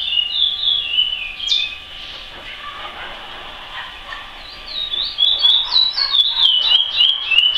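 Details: Curió (chestnut-bellied seed finch) with praia-type song: a few whistled swooping notes open, then a quieter stretch, followed by a loud, fast sequence of bright up-and-down whistles to the end.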